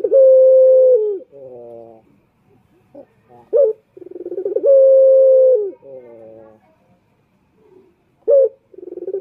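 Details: Repeated calling of a male turtle dove used to lure males, about thirteen phrases a minute: long low steady coos, each followed by a softer rolling murmur and a short sharp note before the next stuttering lead-in.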